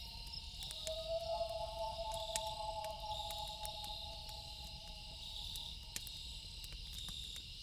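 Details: Loon at night giving one drawn-out wail that lasts about seven seconds with little change in pitch. Sharp campfire crackles and a continuous insect chorus fill the background.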